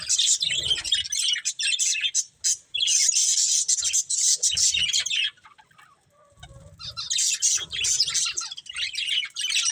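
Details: Two budgerigars of a breeding pair chirp in busy scratchy bursts, then go quiet for about a second midway before the high twittering chatter resumes, with light low bumping sounds.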